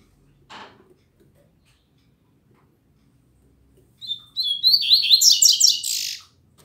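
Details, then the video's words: Morning song of a Double-collared seedeater, recorded on a Saturday and described as frequent but still weak. After a soft click and a long quiet pause comes a rapid burst of high, scratchy, slurred notes lasting about two seconds. "Coleiro Mack Cantando Muito Pela Manhã"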